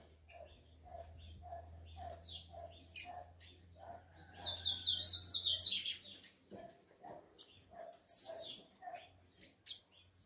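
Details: Rufous-collared sparrow males, kept with females and stirred up to fight, deliver a loud, high, thin whistled song in mid-clip. Soft low chirps repeat about every half second throughout, and a steady low hum runs underneath.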